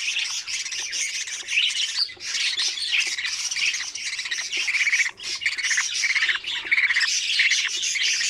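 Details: Budgerigar chicks in an opened nest box, feeding one another, keep up a dense, continuous chorus of shrill, raspy chirps and squawks that overlap without pause.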